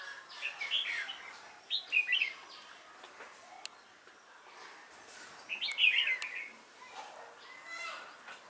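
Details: Red-whiskered bulbul decoy calling during bird trapping on 12 November 2017, noted for a bell-like voice; two clusters of warbling notes separated by a few seconds of near quiet, with faint distant chirping.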